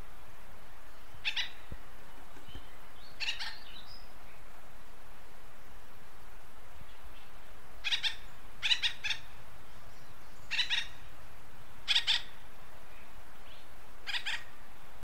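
Acorn woodpecker giving harsh, nasal calls, often doubled, every two seconds or so, over a steady low background rumble.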